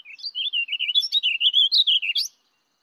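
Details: Warbling Vireo song at a woodlot in Springbrook Prairie, DuPage County, a bird of woodland edges that sings from treetops: a rushed, rambling warble of about a dozen quick slurred notes over two seconds, ending on a higher upswept note.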